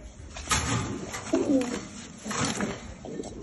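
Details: Homing pigeons wanting to mate, cooing indoors: low, throaty rolling coos in short bursts with a few rising-falling swoops, mixed with rustling and clicking noises.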